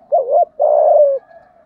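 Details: Spotted dove in the thổ voice style, cooing to provoke a wild rival male: a short bent note followed by a longer, steady, slightly falling low coo, clear and without other sounds.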